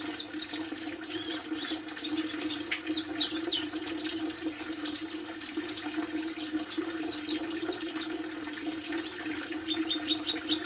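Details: Olive-backed sunbird kept at home, giving thin, high twittering notes in scattered quick bursts throughout, over a steady low hum.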